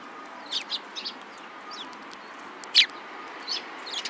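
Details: Sparrows on 2 April 2017 trading brief, thin chirps, mostly soft with one loud, sharp note near the middle, spaced irregularly over a low, even hiss.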